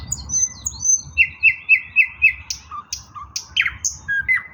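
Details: Singing eastern nightingale, 16 May 2024: high thin whistles, a series of five evenly spaced clicking notes, then varied scattered chirps and short whistled slurs.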